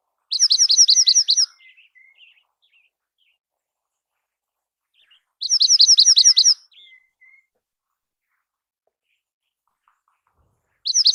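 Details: Dark-eyed junco song, a bird often seen on the ground in snowy winter: rapid musical trills of identical chirped notes, each about a second long, repeated roughly every five seconds with soft notes after each.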